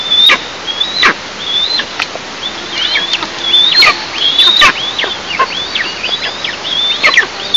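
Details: At an Eastern imperial eagle nest, filmed by a nest camera on a July morning in 2024. Thin, high, level whistles each end in a steep downward slur, coming irregularly and quickening toward the end.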